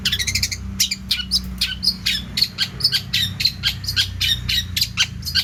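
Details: Long-tailed shrike singing vigorously with an abundant, varied repertoire, for tutoring other birds: rapid chattering, squeaky and harsh notes with high whistled accents, delivered in a dense, irregular stream with a low steady hum beneath.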